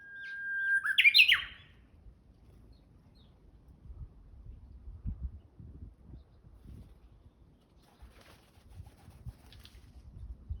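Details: Japanese bush warbler on 26 March 2021 gives one song near the start, a flat whistle ending in a sharp warbled flourish. Low rumbling background noise and faint clicks follow for the rest of the recording.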